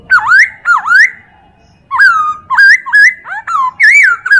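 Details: Chinese hwamei tutor song for training other birds: rich swooping whistles, a dipping-and-rising pair of notes first, then after a pause a fast run of looping whistled phrases.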